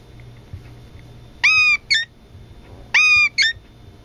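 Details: Rescued, injured Brown-eared bulbul kept caged beside a pet Eastern rosella, imitating the parakeet's spoken words: two matching two-part phrases, each a long harmonic, nasal, speech-like note followed by a shorter one, about 1.5 seconds apart, over a low indoor hum.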